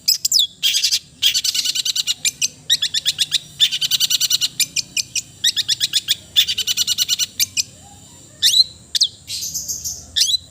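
A long-tailed shrike sings loud, scratchy, rapid chattering phrases of repeated high notes, broken by short pauses and ending with a few sharp downslurred whistles.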